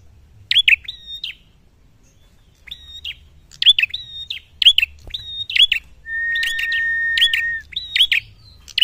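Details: Prinia in full song while searching for a rival: bursts of crisp high chirps separated by a silent gap, then a long steady whistled tone near the end, with faint low hum throughout.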